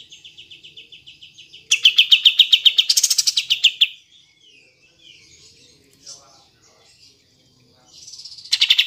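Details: Repeated rapid pulsed trills from a kapas tembak bulbul, one building louder and faster, then soft twittering and another trill starting at the end. Meant to goad lazy birds into singing.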